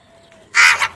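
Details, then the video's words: Wild crow calling in the morning while searching for food, a single loud harsh caw lasting about a third of a second, preceded by a faint thin whistle in the background. "Crow sounds"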